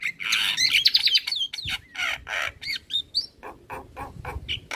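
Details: Singing male black-winged starling, recorded for teaching young birds: a long run of buzzy squawks threaded with looping whistled phrases and upward slurs, then short harsh clicks repeated roughly three times a second.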